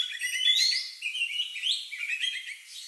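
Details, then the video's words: Oriental magpie-robin (kacer) with a strange lovebird-like song, used as a lure to make other birds sing; brief run of high slurred whistles and chattering notes rising and falling. "Suara Burung Lagu Unik Kacer Ini Cocok Untuk Pancingan"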